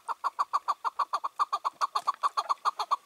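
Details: Chukar partridge, a wild bird caught and freed two years earlier, calling on the evening of 4 June 2023. A short burst of loud, evenly paced chuck notes, roughly six per second, harsh and clucking.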